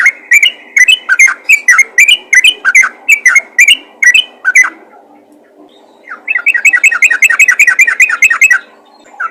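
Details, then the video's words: Yellow-vented bulbul calling other bulbuls: an even run of bubbly whistled notes for about four seconds, a quiet gap, then a faster, denser burst of chattering whistles before falling silent. "panggilan burung trucukan ropel gacor memanggil trucukan lain"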